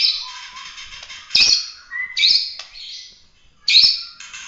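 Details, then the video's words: Full-emotion competition singing from a Bahorok white-rumped shama, 'tembakan' style: harsh, buzzy high bursts alternating with thin whistled notes, loud blasts coming roughly every second or two. "kicau prestasi full emosi suara tembakan murai batu Bahorok asli"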